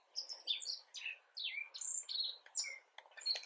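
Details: Black-faced bunting giving subsong on 10 April 2022 in spring, skilled enough to be almost full song; a jumbled run of high chirps, sweeping slurs and short twittered phrases with brief pauses, no other sounds of note.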